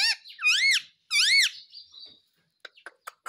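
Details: Pet parrot letting out loud, ringing squawks: two long arched, bending calls, then a brief softer note, ending in faint clicks and scraping.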